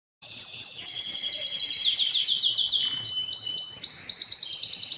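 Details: Strong male canary song recorded clean for training other canaries, stimulating males to sing and females to breed: fast repeated downslurred whistled notes in long rolling tours, shifting to a second phrase of rising notes after a brief dip.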